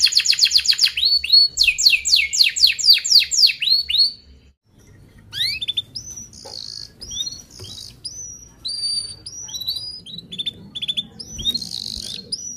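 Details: Canary song for tutoring young birds: about four seconds of rapid rolled trills and loud falling sweeps, a short silence, then scattered clear high whistled notes and thin chips.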